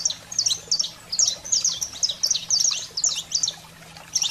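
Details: Saffron finch giving a fired-up 'fogo selvagem' song, played to stimulate pet canaries: rapid bursts of sharp, high chirps and short descending slurred notes, about three per second, with a faint low hum underneath.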